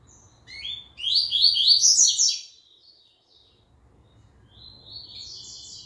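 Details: Double-collared seedeater back in song following the moult, delivering a quick run of rising, twittering notes for about a second and a half, then a softer, thinner high trill.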